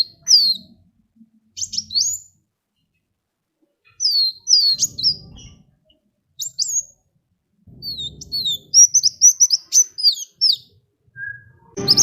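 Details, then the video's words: Sunbird song played to lure other birds into singing: scattered high whistled and slurred notes in short bursts, ending in a rapid run of chattering high notes, with faint low rumbling noise in places. "SUARA KOWUL GACOR ISIAN SUPER MEWAH SEMUA JENIS BURUNG PASTI IKUT BUNYI"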